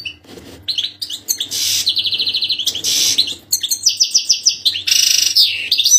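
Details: European goldfinch song for teaching young birds, bright fast trills and buzzy rattles alternating with twittering notes, nearly continuous, with a faint low hum behind.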